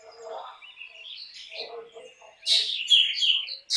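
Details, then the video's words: Black drongo song: soft low chatter first, then a loud burst of harsh broadband notes mixed with bright whistled phrases around the upper-middle range in the final second and a half. "Black drongo Singing Song ! Black drongo Call ! Black drongo Sounds ! Black drongo Vocals"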